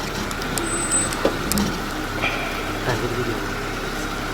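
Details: A steady vehicle engine hum with a few clicks and knocks, and no animal voice.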